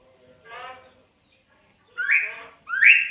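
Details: Magpie-robin producing a soft low grating burst, a silence, then two loud upslurred rasping notes in quick succession, each climbing steeply and ending abruptly.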